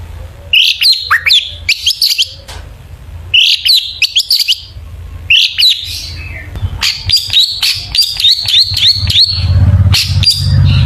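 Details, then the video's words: Long-tailed shrike 'isian' song for luring other shrikes into song: clusters of rapid sharp chirps repeated in bursts about every two seconds, ending in a fast, even series of high notes over a low hum. "burung cendet gacor FULL ISIAN BONGKAR JITU, PANCINGAN CENDET AGAR BUNYI jadikan BURUNG PENTET GACOR"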